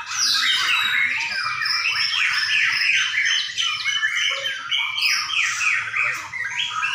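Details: At a songbird contest in Sidareja, white-rumped shamas deliver a loud, unbroken torrent of sharp rising and falling whistles, buzzy trills and chips, voices layered over one another above a faint background hum of people.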